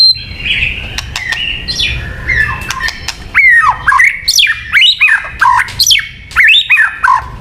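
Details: Luring song of a white-rumped shama: soft, slurred warbles at first, then a run of loud, sharply rising and falling whistled phrases repeated in quick succession, mixed with clicks.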